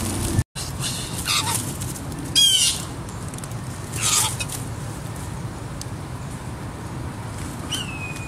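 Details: A parent Blue Jay, alarmed by a person touching its fledgling that has been on the ground for two days, gives scattered harsh raspy notes, one wavering and ringing, then a thin falling whistle, over steady outdoor hiss.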